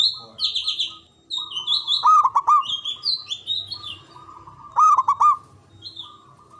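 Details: A local Javanese zebra dove, used to get stressed or silent doves singing, gives stuttering, rolling coo phrases twice, amid busy high chirps from other birds.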